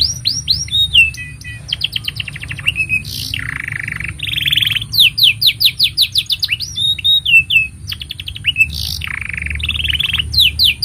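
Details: Long canary song for training young birds and stimulating mute canaries: rapid runs of descending whistled notes alternating with buzzy rolled trills and sweeping slurs, repeated in several bursts over faint hum.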